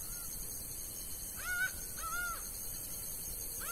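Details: Laughing falcon singing in the sertão of Bahia: loud nasal, arched notes with strong overtones, three main notes spaced about half a second to a second apart, steady faint hiss behind.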